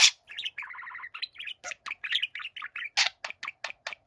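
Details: Pet budgerigars indoors, a younger bird singing for attention while a gentle older companion listens quietly: steady warbling chatter of short chirps, a rapid buzzy trilled run near the start, then evenly spaced sharp notes.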